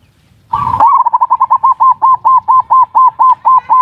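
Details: Zebra dove lure song in ngerot and kuwor styles, meant to arouse mating urge and get lazy birds to sing: one rough opening note, then a rolling series of about fifteen clear, even coos that gradually slow.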